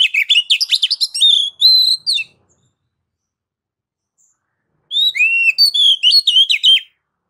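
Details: Ngeplong-style oriental magpie-robin song meant to coax other birds into singing: two bursts of fast, varied whistled phrases, bright and warbling with sliding notes, separated by about two and a half seconds of silence.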